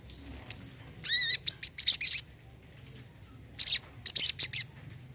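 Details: Olive-backed sunbird, kept as a caged bird, giving high sharp chips and a fast buzzy trill, two bursts of notes about two seconds apart, with a faint low hum behind.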